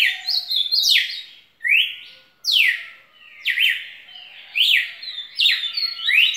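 A red-cowled cardinal sings loud, clear, slurred whistles that swoop up and down, in quick phrases of about one a second with short pauses between.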